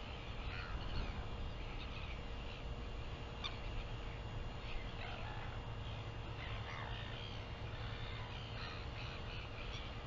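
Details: Northern royal albatross recorded on 24 September 2021 gives harsh, croaking calls in short bursts every few seconds, half-buried under a steady low rumble of wind.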